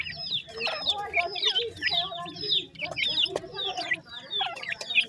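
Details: Dakhni teetar chicks, young francolins, produce clusters of shrill, curving peeps that rise then drop, delivered in short excited runs with small gaps between them.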